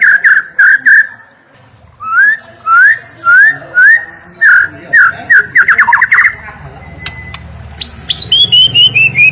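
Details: White-rumped shama full-fill training song: paired whistled notes, a series of evenly spaced upslurred whistles about every half second, a rapid run, then high descending whistles over a low hum.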